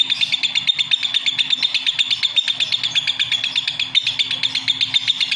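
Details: Fast, steady stream of shrill lovebird chirps, regularly pulsed about three times a second, high-pitched and scratchy throughout, with a faint low hum underneath.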